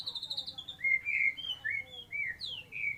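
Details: White-rumped shama, song style with kapas tembak filling: a varied string of clear whistled phrases, some high and trilled, others lower and slurred, delivered in quick succession over a quiet low hum.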